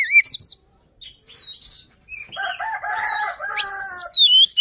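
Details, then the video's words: An Oriental magpie-robin, used as a lure recording to provoke other birds to sing, gives a rapid, varied run of clear rising whistles, sweet slurred phrases and harsher buzzy, chattering notes, with no other sounds. "Suara Pancingan Poci | Kicau Kacer Gacor"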